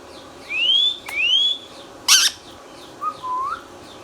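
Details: Pet green Indian ringneck parakeet indoors producing two long rising whistles, a short harsh squawk, then a softer lower rising whistle near the end.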